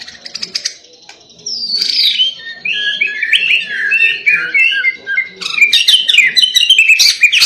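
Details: White-rumped shama delivering an insistent song said to provoke another shama into singing nonstop; after a brief soft chatter, loud rapid warbled and whistled phrases tumble up and down in a rich, varied stream, ending in dense, scratchy high notes.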